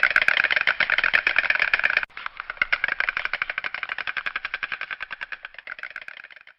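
Stork bill-clattering: a fast, dry wooden rattle of about ten clacks a second. It runs in bursts and slows and softens toward the end.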